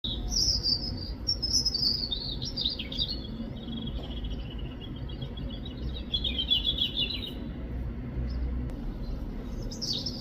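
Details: European robin singing in the UK: high, thin warbling phrases that rise and fall, with sliding whistles and short trills running through the first seconds and again later, over steady low traffic-like rumble.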